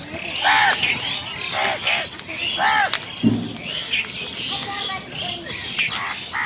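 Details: Crows, possibly fighting over food, giving harsh arched caws with stacked overtones, repeated about once a second in loose bursts, with other chirping birds and background noise.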